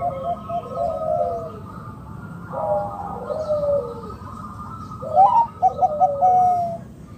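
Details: Local Indonesian zebra dove calling to lure other doves into calling: soft, slightly descending cooing notes, then a brighter burst of quick staccato coos near the end, over a low steady background hum.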